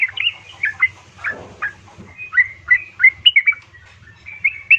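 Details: Yellow-vented bulbul female calls to a male, used as a lure for caged birds: a steady stream of bubbly, slurred chirps over a faint low hum.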